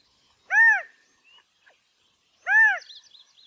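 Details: California quail calling for a mate: two strong arched notes roughly two seconds apart, clear and rich, followed by faint high twittering from another bird.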